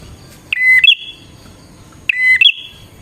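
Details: Bar-winged prinia song used to lure wild prinias: two phrases, each a buzzy stacked note with a steady whistle, rising to a higher trilled whistle, with a quiet gap between them.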